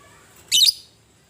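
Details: Fighting lovebird voice meant to provoke rival lovebirds into calling, in the ngetik and ngekek style: one sharp, harsh, high-pitched chirp with a scratchy double note, in a quiet background.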